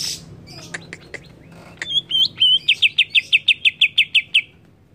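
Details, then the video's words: Greater green leafbird in an agitated singing mood: a few scattered sharp notes, then a rapid, even run of about a dozen buzzy repeated chirps. "AWAS CUCAK IJO ANDA IKUT EMOSI"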